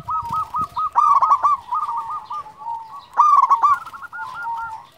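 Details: Champion local zebra dove calling: a stuttering run of quick coos builds into two loud, ringing, harmonic-rich bursts, while softer dove trills continue behind.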